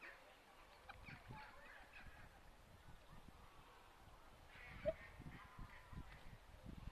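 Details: Whooper swans looking for food give soft, scattered honking calls in short bursts, fairly distant, over low rumbling wind or water noise.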